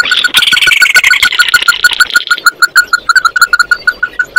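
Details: Oriental white-eye singing to call its flock: a fast, uneven run of short, clipped notes repeated about three times a second, with a hissy, buzzy wash over the first half that then fades.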